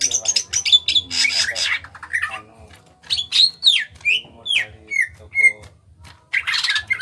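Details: Greater green leafbird of Kalimantan stock, small body, gacor ngentrok singing: loud harsh chattering bursts alternate with clear downward-slurred whistles and short repeated notes, separated by brief pauses; faint low hum behind.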